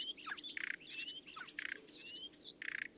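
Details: Common starling (Sturnus vulgaris) sings a fast medley of slurred whistles, rising and falling squeals and dry buzzy rattles, the phrases tumbling together with hardly a pause.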